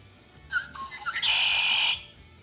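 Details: Male red-winged blackbird, a marsh bird, giving its loud conk-la-ree song: a few short, rising liquid notes, then a loud, buzzy trill held for under a second.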